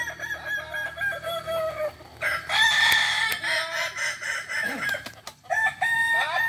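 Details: Kukuak balenggek roosters at a final contest in Ampang Kualo, Solok city, Sunday 8 September 2024: bursts of crowing, the loudest a rough, stepped crow near the middle, with brief calls and clatter between.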